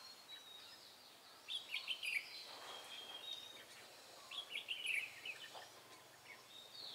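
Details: Red-whiskered bulbul used as a decoy for trapping wild birds, recorded 23 March 2018, delivering rapid fast-firing song; two short bursts of bright chattering, warbled notes a few seconds apart over steady outdoor background hiss.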